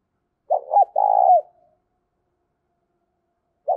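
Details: Lure spotted dove for trapping gives a full coo phrase of a short hooked note and a long drawn note falling at the end. Silence follows, and the next phrase begins just as it closes.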